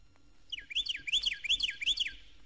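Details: A Carolina (Florida) Wren in Florida, a bird that sings year-round, sings a loud, rolling phrase of four quick, ringing notes, each sweeping down then up, repeated at a brisk even pace; 1969 record.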